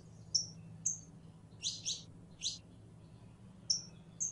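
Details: Female canary in heat calling a male to mate: short high chirps and whistled notes, some paired, scattered irregularly with gaps between, over a low steady hum.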